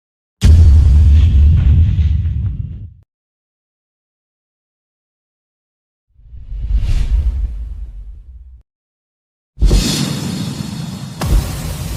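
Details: Deep whooshing blasts and rumbling explosion-like bursts separated by silence, with no animal voice.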